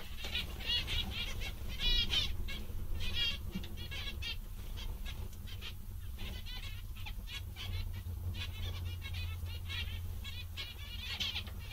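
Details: Contented zebra finches chattering: rapid nasal beeps and buzzy trills in clusters, many birds overlapping throughout, with a steady low-pitched hum behind.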